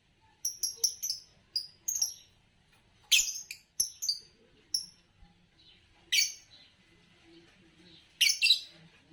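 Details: Green Fischer's lovebird, noted in Indonesia for long-duration songs in bird song competitions, chattering with many sharp high chirps in uneven runs, several louder rasping bursts scattered through.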